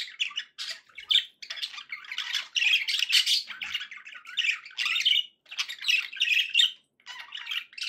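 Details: Budgerigars kept as pets making happy sounds: a busy stream of raspy chirps, squeaks and warbled chatter, repeated in short clustered bursts.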